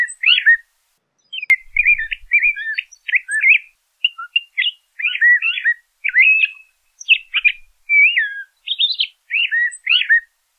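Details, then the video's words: A LeConte's Thrasher (Toxostoma lecontei) sings a long run of varied, clear whistled phrases, each short and separated by brief pauses, with rising and falling notes. "LeConte's Thrasher Bird Singing, Calling, Chirping"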